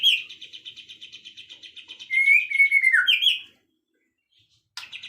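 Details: A songbird singing in the afternoon gives a fast run of even, repeated chirps, then a louder sliding whistle and sharp notes, followed by a brief pause and another call.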